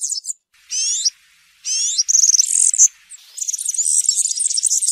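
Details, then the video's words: European serin in field-style song: looping whistled sweeps that rise and fall, followed by fast, high, jangling trills run together without a break. "𝗩𝗘𝗥𝗗𝗘𝗖𝗜𝗟𝗟𝗢 𝗖𝗔𝗡𝗧𝗔𝗡𝗗𝗢 𝗖𝗔𝗠𝗣𝗘𝗥𝗢"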